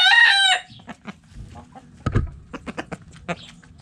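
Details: Chickens in a backyard coop: a short, loud rooster crow cut off after half a second, then scattered sharp hen clucks and low rustling.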